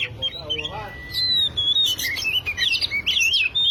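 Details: Lure song of an oriental magpie-robin meant to set a silent bird singing: soft lower notes at first, a long steady whistle, then a busy stretch of sharp chirps, slurs and scratchy notes that grows louder toward the end.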